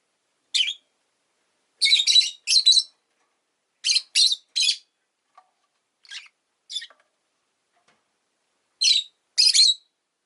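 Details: Rosy-faced lovebird chirping repeatedly, harsh high notes often in pairs or triplets with short gaps between bursts, a few softer single chirps mid-way, background otherwise silent.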